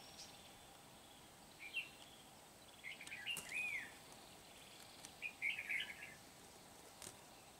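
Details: Decoy Red-whiskered bulbul luring wild birds into a trap at Kim Bôi, Hòa Bình, Vietnam, on 8 September 2019; several quick chirpy warbled phrases in loose bursts, with faint clicks.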